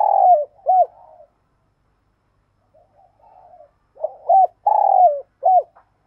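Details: Luring decoy spotted dove calling: a long coo and a hooked note, a soft low murmur after a pause, then a full phrase of hooked notes around a drawn-out falling coo.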